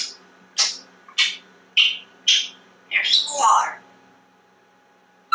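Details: Very talkative male pet African grey parrot indoors: four sharp clicking notes about every half second, followed by a mumbled speech-like phrase, then quiet.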